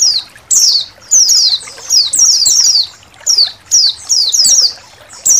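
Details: Indonesian white-eye flock calling. Bright, high notes dropping sharply in pitch arrive in dense clusters with brief quiet gaps. Overlapping voices suggest many birds together, with a faint trickling sound underneath.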